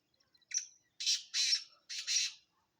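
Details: Harsh, grating call of a black francolin: a brief opening note followed by two double bursts of raspy, broad notes, with silence around them.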